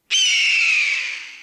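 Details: A Red-tailed Hawk gives one harsh, hoarse scream that holds high, then slowly falls and fades over more than a second; this is the sound often wrongly credited to the bald eagle.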